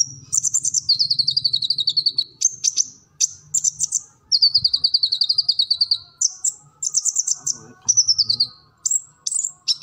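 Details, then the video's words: Kolibri ninja sunbird in full chatty song for training captive birds: long fast high trills of rapid ticking notes, broken by bright squeaky chips and short bursts, with a faint low hum behind. "Kolibri Ninja Gacor Full Materi"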